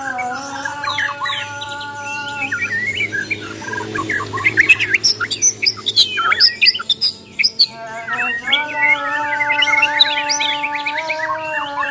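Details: Borneo white-rumped shama in fighting song. Scratchy squawks and rapid chattering notes rise into a burst of loud clipped calls midway, then varied whistled phrases, all over a constant layered hum.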